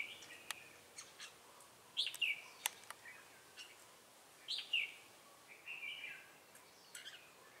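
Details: Trapping decoy red-whiskered bulbul, Bình Phước, 25 June 2018, in 'Ché' style song: two sharp rising-then-falling whistled phrases about 2.5 seconds apart, a softer warble after them, and scattered clicks and taps around.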